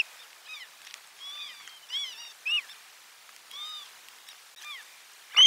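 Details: Osprey at nest 4 during a lunchtime fish delivery, 12 July 2022, nest camera: soft, arched, whistled notes spaced irregularly, mostly faint, ending in one sudden sharp loud chirp.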